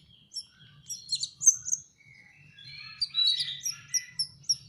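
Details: Young canary practising its song: high, scattered chirps and twittered notes in loose bursts, first sparse and then denser, with a soft low hum underneath.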